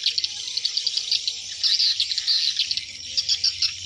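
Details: Swiftlets returning to their nests in the evening, hundreds together, making a steady chatter of sharp high chirps that swells after the first second and stays busy to the end.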